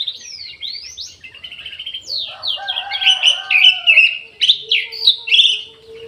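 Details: Orange-headed thrush in an aviary, singing vigorously: a dense medley of swooping whistles, warbles and sharp upslurred notes, with richly layered phrases and a faint steady low hum beneath.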